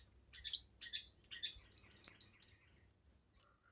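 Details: Kemade bird song, a lively singer kept for training other songbirds and for luring. Soft, low chirps come first, then a quick run of sharp, high, clipped notes repeated about five times a second, ending on a slurred whistle.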